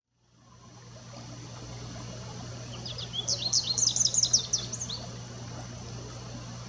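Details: American goldfinch singing: after a quiet start, a rapid burst of high, thin, twittering notes runs for about two seconds in the middle, over a steady low hum and a faint high constant tone.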